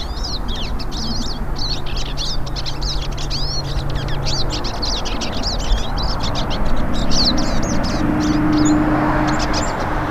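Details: Several wild hooded siskins in song; continuous high chattering twitter of quick chirps and slurred notes for about ten seconds, with low hum and a rising background hiss late on.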